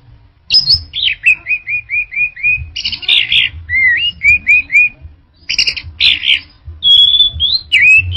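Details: Orange-headed thrush in full varied song: a run of repeated short whistled notes, buzzy bursts, then more repeated whistles and a long clear whistle, loud and continuous over low hum.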